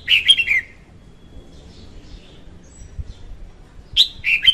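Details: Song of a female red-whiskered bulbul, used to lure birds into traps, recorded 2021: a short, rich phrase of warbled whistles at the start, a long quiet gap, then a similar rolling phrase at the end.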